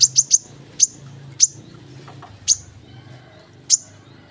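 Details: Brown-throated sunbird, called kolibri manggar, singing actively for use in stimulating quiet birds: three fast sharp high chips open, followed by single piercing chips at widening intervals, with a low rumble beneath.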